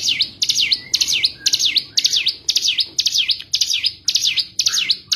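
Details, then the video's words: Cigun song played to make a bird that stopped singing sing again: dense, high V-shaped notes in quick succession, about two per second, loud and continuous. "pancing cigun kurang emosi paling ampuh menaikkan mental cigun macet bunyi agar kembali bunyi gacor"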